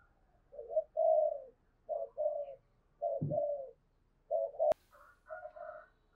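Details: Spotted dove cooing and calling, 'tho sam' voice: three phrases of two hollow low coos each, softer and more distant, a dull thump and a sharp click between them, faint background hiss.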